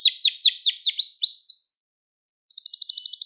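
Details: Gloster canary singing for training other canaries: a series of swooping downward notes repeated quickly, a silence of about a second, then a high even trill.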